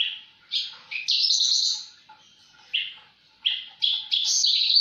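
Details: Javan bush lark singing in gacor style: short bursts of high, buzzy, scratchy phrases separated by brief pauses, several phrases running together into longer strained notes.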